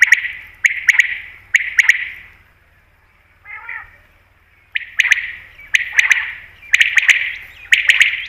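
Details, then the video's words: Common quail, known locally as batair, calling for hunters: short rasping notes in pairs and triplets with a ringing echo, a quiet pause in the middle, then the calling resumes. "Batair Ki Best Awaz , Batair Sound , Common Quail New Sound For Hunting"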